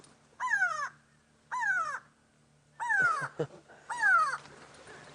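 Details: A grey go-away-bird screaming from above, upset, gives four harsh, nasal, downslurred 'g'waaay' screams, about one a second, over a low vehicle engine hum; these birds alarm call on seeing predators.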